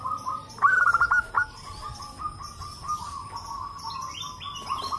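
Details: Group of native zebra doves answering each other, used to prompt other doves to call; one loud burst of clipped, quickly repeated notes rises early, then gentler continuous trilling from other doves carries on.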